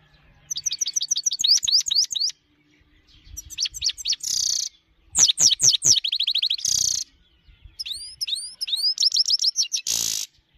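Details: Himalayan goldfinch giving high songs: fast runs of sharp, bright twittering notes in bursts of one to two seconds, interspersed with harsh buzzy rasps, with short pauses between phrases.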